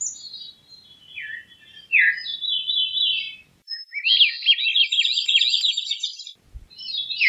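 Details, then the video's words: Veery singing a series of breezy, downward-spiralling phrases, with a buzzy rapid trill in the middle and brief pauses between phrases. "Veery Bird Song, Sound, Call, Chirp, Melody - Zorzalito Rojizo Canto - Catharus Fuscescens"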